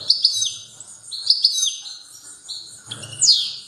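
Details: European goldfinch delivering a strong song: bright, high twittering notes with sharp chirps and slurred trills, in bursts with short pauses, ending in a loud descending sweep.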